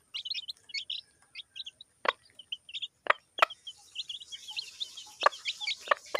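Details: Feeding chicks with their mother hen in a village, chirping in fast high bursts; a few hard pecks, and a hiss of background noise rises in the second half.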